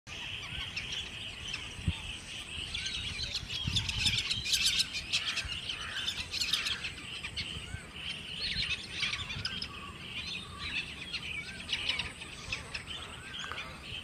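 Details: Pied avocets (Recurvirostra avosetta) giving clear, fluty, repeated calls, with several birds overlapping against a steady background hiss.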